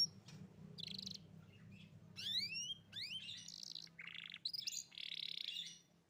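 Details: Canary song played to prompt a young canary that has stopped singing: scattered buzzy notes, upward whistled sweeps and rasping bursts, fairly quiet, with low background hum.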